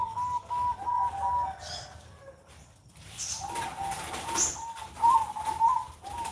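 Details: On a Sunday morning a perkutut (zebra dove) gives short clipped coos, pauses, then delivers a longer trilling coo phrase, while a few high chirps from other birds sound faintly behind it.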